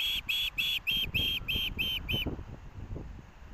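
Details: Ospreys at a Missoula, Montana nest in August 2024, a chick competing for fish brought by a parent: eight loud, piercing whistled chirps in quick regular succession, then they stop abruptly and only soft background rumble remains.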